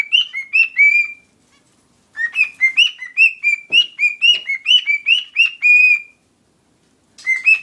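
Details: A pet Mexican cockatiel named Pepito whistles a learned tune, a corrido, in clear, rising and falling phrases with brief pauses.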